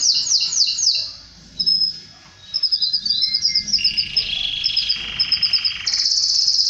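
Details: Canary song said to bring a male canary to mate with its female: rapid down-slurred trills, a brief pause, then long varied stretches of high rolling notes and buzzy phrases ending in a sustained high trill.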